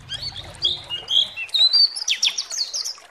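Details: White-eye (pleci) song from a lure recording meant to agitate other pleci into singing: a rapid, high twittering run of short chirps and slurred notes that climbs slightly in pitch, with a faint low rumble in the first second.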